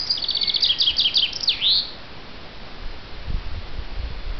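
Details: Chaffinch song: a rapid series of bright, repeated high notes that quicken and descend, ending in a sweeping terminal flourish, then quiet with faint low rumbles.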